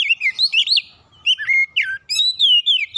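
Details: Song of a white-rumped shama used as therapy for a stressed bird: continuous rich whistles, upward and downward sweeping notes mixed with sharp high chips, delivered in rapid varied phrases with short pauses.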